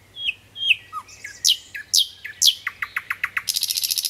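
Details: Varied nightingale phrase: scattered whistles and high downward sweeps, a row of evenly spaced notes, then a rapid, dense, buzzy trill at the end.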